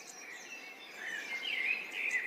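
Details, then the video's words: A pair of sparrows feeding give soft, twittering chirps, high and warbling, which build toward the end over a steady hiss of background noise. "សំឡេងចាប..The sound of birds"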